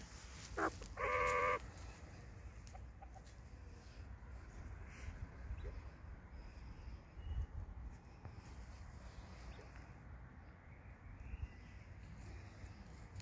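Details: Male tuxedo quail calling in a garden among hens: a short rising note, then a loud, harsh, buzzy phrase of about half a second. Faint rustling and soft background noise follow.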